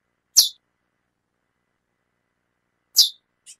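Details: A female chestnut-bellied seed finch, calling often, gives two high, clipped chips about two and a half seconds apart, followed by a fainter third note.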